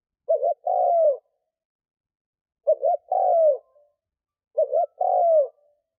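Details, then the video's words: Spotted dove kept as a decoy to draw in wild doves, cooing three times about every two seconds. Each phrase opens with a paired short note and ends in a longer downward-curving coo. "Tiếng cu mồi thúc gù gáy kích bổi cực nhạy / Tiếng chim cu gáy kích bổi nhanh nổi mới"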